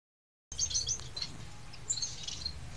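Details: Society finch chicks begging: thin, high chirps and short twittering notes in quick bursts, with a low background rumble throughout.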